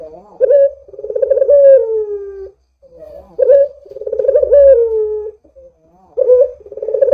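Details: Lure recording of a Barbary dove in full voice: a soft lead-in, then a sharp accented note and a long, trembling, gradually falling coo, repeated in steady phrases with brief silences between.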